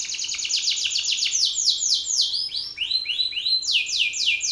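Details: Loud Belgian canary male singing to challenge another male: quick repeated descending notes that gradually slow into wide, rolling sweeps, then fast high trills again, with a faint steady hum beneath.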